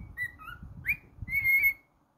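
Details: Pet cockatiel whistling: two short level notes, a sharp upward-swept slur, then one long steady whistle that fades out, over faint low household noise.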